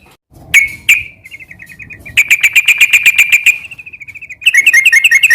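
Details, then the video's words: Sooty-headed bulbul song in the ngeropel style. Two loud chirps lead into a soft trill, then a run of rapid, buzzy repeated notes. A faint rippling trill and another quick chirping burst follow. "Suara kicau burung trucukan gacor garuda sambung ngeropel"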